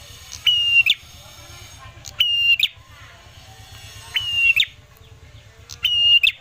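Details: Lure song of the ashy tailorbird, meant to set birds singing. Four level whistles, each finished by a rapid twittering tail, come about every two seconds over a faint low drone.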